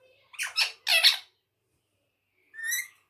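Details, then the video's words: Pet rose-ringed parakeet talking indoors, imitating Urdu and Hindi speech: two loud, harsh, rasping syllables in quick succession, a pause, then a shorter, higher, more tonal utterance. "amazing talking parrot talking Mithu bayty Urdu and Hindi"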